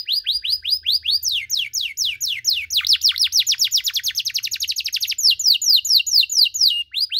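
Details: Canary singing cengkok-style over a long stretch to rile other canaries: a high rattling trill, slower downward sweeps, then a rapid run of deep swooping notes, ending in more falling whistles.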